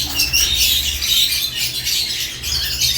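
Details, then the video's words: Caged lovebirds in the morning. Loud, busy, high-pitched chirps and squeaky chatter follow one another without pause, with a low steady hum underneath. "Morning Lovebirds Cage Moments | Natural ChirpingSounds"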